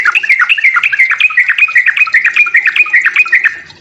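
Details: Sooty-headed bulbul in fighting song used to provoke rivals, a steady run of quick, bouncing whistled notes repeated about two to three times per second, slightly tailing off at the end.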